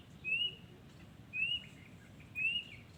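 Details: Three bright, rising whistled notes from a wild yellow-vented bulbul, evenly spaced about a second apart, against a quiet, low rumbling background.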